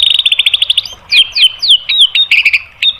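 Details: White-rumped shama song used to provoke rivals into answering: a rapid high trill followed by sharp downslurred whistles and clipped notes.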